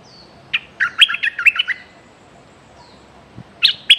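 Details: Bulbul kept as a decoy to attract wild birds, threatening nonstop: a quick burst of seven or eight sharp chirps, a pause with soft distant whistles, then two more loud chirps.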